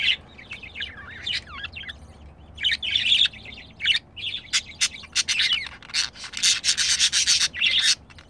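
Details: A pet budgerigar pair, male and female, filmed while mating; long stretch of twittering warble, at first soft and broken, then growing into dense rapid clicking and buzzy chatter.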